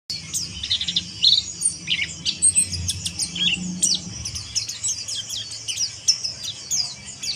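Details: Oriental white-eye giving harsh chirping, high thin buzzy chips and short trills packed rapidly together, continuous over low rumbling background noise.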